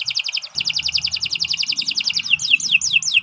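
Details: Canary song used to train other birds: a rapid high trill of doubled notes, closing with a few looping descending whistles.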